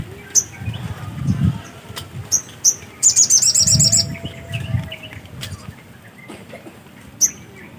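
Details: Black-capped white-eye in lively song: scattered single high sharp chips, then a fast, even run of very high twittering notes for about a second, with low background rumble.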